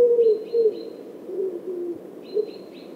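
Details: Common wood pigeon in Wittlich, 2017: soft low hooting coos, partly broken up, with thin high chirps from another small bird in two short bursts.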